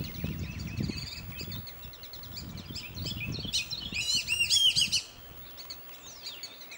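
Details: Black-bellied whistling ducks, a pair having just landed behind a house at Hamilton Creek, one flying back and forth, give thin, squealing whistles that rise and fall in quick runs, peaking in a loud burst; low wind rumble underneath.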